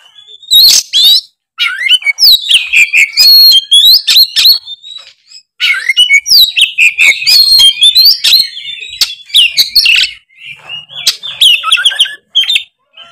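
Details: Oriental magpie-robin singing continuously in loud ngeplong style: long rich phrases of sweeping whistles, sharp chips and twittering trills, broken by short pauses.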